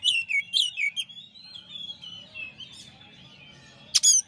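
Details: Oriental magpie-robin champion in master song. A few loud whistled, down-slurred phrases open, then a softer, sustained rambling warble drifts on before a sharp loud note closes the passage. Faint low rumble sits underneath.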